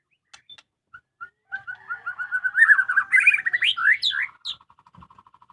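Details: White-rumped shama in a home cage: a few soft notes build into a fast rich warble and loud upslurred whistles, ending with a quick series of evenly repeated short chips.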